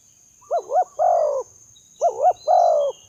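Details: Spotted dove call used as a lure for doves: two phrases, each two quick wavering notes followed by a longer drawn-out coo, about a second apart, over a quiet background with a faint steady high hiss.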